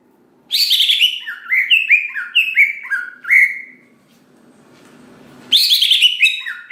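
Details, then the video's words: Singing greater green leafbird, a bird kept to incite other leafbirds to sing; rapid ringing downslurred whistles for about three seconds, a pause with faint rustling noise, then another harsh-edged burst of whistles. "Cucak Ijo Gacor Paling Pintar Memancing Cucak Hijau Lain Agar Cepat Bunyi Gacor"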